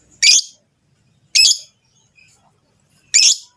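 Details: Mating call of Rosy-faced and Fischer's lovebirds, used to encourage the female to breed. Three loud, harsh, high shrieks arrive about a second or more apart, with near silence between them.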